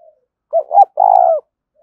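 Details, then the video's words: One 'thúc' coo phrase from a spotted dove: a brief soft note, a rising second coo, then a long, steady, slightly falling coo lasting about half a second. "Tiếng chim cu gáy thúc cực đỉnh vang cả buôn làng"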